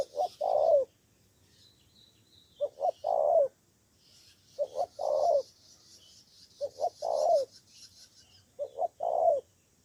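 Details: Spotted dove decoy bird from Cà Mau, Vietnam, answering rivals: five low cooing phrases about two seconds apart, each two short notes then a longer rolling coo with a falling end, over a faint steady high hiss.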